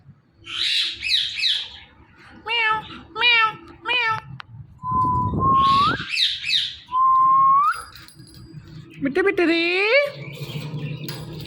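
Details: Rose-ringed parakeet, a talking ringneck parrot, mixing raspy squawks, quick wavering notes and two drawn-out rising whistles, with some background noise.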